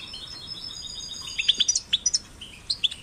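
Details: European goldfinch chicks, caged, singing for stimulation: scattered high twittering chirps with thin whistled tones, sparse at first then a quicker run of sharp notes in the second half.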